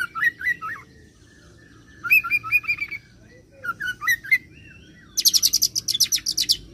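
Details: Oriental magpie-robin singing a rolled song that strings in cililin and serindit imitations: curling whistled phrases around two kilohertz, a run of quick chips, then a dense burst of very high, rapid ticking notes near the end.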